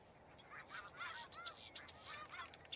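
Boat-tailed grackle giving a rapid run of harsh, raspy notes mixed with short arched whistles, several per second, against a steady background hiss.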